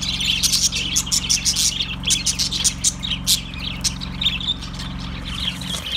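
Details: Several budgies chattering, with loud clicking chirps in quick bursts early on, then softer warbling and squeaks that continue, over a low persistent hum.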